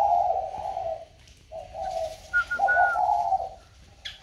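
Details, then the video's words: Caged spotted dove, just bought and placed in a box, still calling as usual: low, hollow coos in three drawn-out phrases, with a brief thin whistled note above the last ones. "khách mua xong chim cho vào hộp vẫn trơi như thường"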